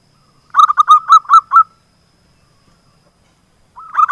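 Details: Local zebra dove singing actively, used as a lure to draw silent doves into song: a quick run of about six bubbly, stuttering coos, silence, then a new phrase starting at the end.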